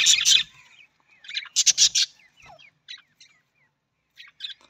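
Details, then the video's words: Budgerigar chatter: bursts of harsh, buzzy squawks mixed with quick warbled chirps and short rising whistles, high-pitched and irregular. "Budgies parrot voice"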